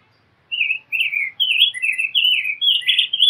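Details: Rose-breasted grosbeak singing a rich warbled phrase of rising and falling whistled notes, each slurred syllable flowing into the next for about three seconds; quiet background.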